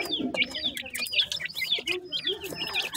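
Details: Several young francolin chicks, the dakhni teetar, peep continuously in high, quick, slurred chirps, nearly two per second, crowded together, over a low murmur and faint soft cooing-like background sounds.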